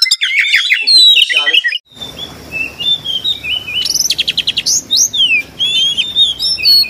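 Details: Oriental magpie-robin kept in Kudus singing with mimicked sparrow and kingfisher notes: loud chattering burst at first, then scattered clear whistled slurs and a quick rattling trill over a steady low hum.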